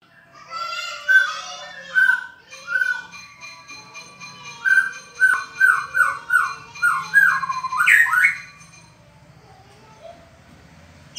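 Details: A White-rumped shama calls to a rival, singing rich, varied whistled phrases, then a quick run of about eight falling notes ending in a sharp upswept whistle.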